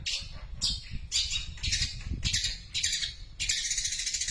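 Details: Long-tailed shrike singing a very long sparrow-imitating song: harsh, chirpy bursts of notes repeated roughly twice a second, each burst dense and scratchy, over low rumbling background noise.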